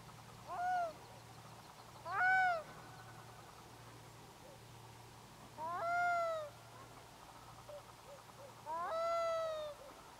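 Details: Over a sea bay in grey drifting mist, a black-throated loon gives four brief cries, each rising sharply and then holding a level, reedy tone for about half a second, with irregular gaps and a low steady hum behind.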